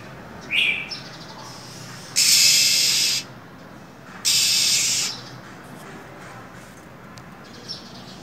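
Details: Female than songbird in cold winter weather: a short rising chirp, then two loud, harsh hissing bursts about a second each, meant to rouse a male into song.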